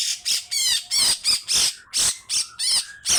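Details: Grey-cheeked bulbul in loud, rough rasping besetan bursts, wavering and closely spaced, with brief steady whistles between them.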